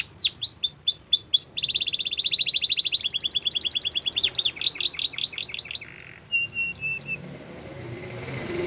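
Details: Song of a canary used to train young birds: quick rising whistled notes lead into rapid rattling trills and descending sweeps, ending in a few short high notes over faint background hiss.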